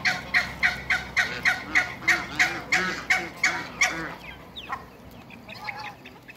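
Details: African geese, two pairs, with Muscovy ducks: about four seconds of rapid, regular nasal honks, then the geese fall quiet and only faint, thin chirps remain.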